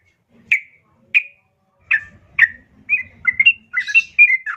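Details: Female yellow-vented bulbul calling a male, a lure for caged birds: four separate short chirps about half a second apart, then a faster run of bubbly, slurred notes.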